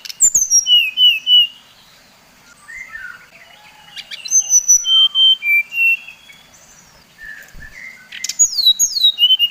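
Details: Bali brown-chested jungle flycatcher singing to stir up others of its kind: repeated bouts of ringing whistles descending in pitch, mixed with lower warbled notes, a short pause between bouts.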